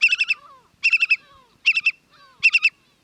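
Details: A Eurasian (white-rumped) Whimbrel, a coastal migrant on Sri Lanka's southern beaches, gives its rippling, whistled titter: quick bursts of about six or seven clear notes repeating less than a second apart over a quiet background.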